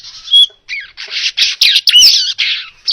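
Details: Baya weaver song meant for tutoring other birds: a series of rasping, hissy bursts each under half a second, with a thin whistled note at the start and a squeaky slur mid-sequence.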